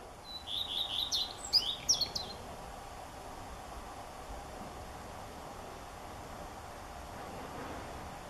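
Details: Common redstart song: a short phrase of high, thin whistles and quick twittering notes lasting about two seconds, followed by steady background noise.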